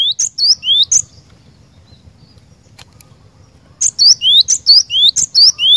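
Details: Two bursts of 'gacor' song from a cinereous tit, high clipped chirps with slurred and rising whistles, separated by a quiet gap of nearly three seconds, with a low background murmur throughout.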